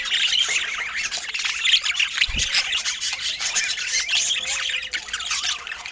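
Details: Budgerigars feeding, a constant busy chatter of high chirps and squawks, with one soft low thump partway through.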